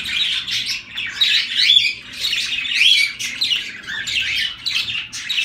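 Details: Zebra finches giving loud, nasal beeping calls in quick irregular bursts, roughly one each second, several birds overlapping.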